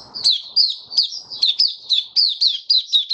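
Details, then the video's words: Open song of a caged white-eye during warm humid weather, March 2022: about a dozen quick high chirps, each dropping in pitch, evenly paced roughly three per second. "Mata Puteh Kitaro Video 1 buka sing"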